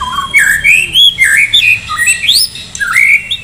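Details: White-rumped shama from Medan in full song ahead of a singing contest: loud, rich, sweeping whistled phrases rising and falling in quick succession, bird sound dominant and close.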